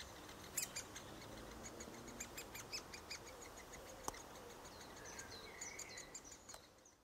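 Sharp, loud 'kik' notes from a young great spotted woodpecker come at irregular intervals, about five in seven seconds, over a busy chorus of high twittering songbirds.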